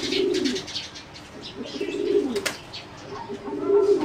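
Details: Singing zebra dove, a competition bird bred from wild stock, cooing in a flight cage; low soft coos repeat in phrases about every two seconds, with faint chirps and room noise behind.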